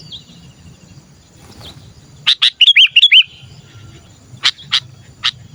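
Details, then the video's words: Sooty-headed bulbul calling as a lure for other bulbuls: a quick run of four or five bubbly, curving notes, with sharp clicks before and after and a low background hum. "Suara Burung Kutilang Gacor Memanggil‼️masteran burung kutilang pikat"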